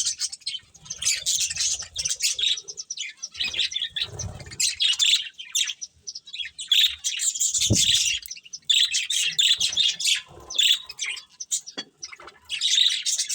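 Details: Budgerigars, several colourful birds eating, chirping busily: dense bursts of high, scratchy warbles and tweets overlapping in clusters, with brief pauses and a few low knocks or thumps between bursts.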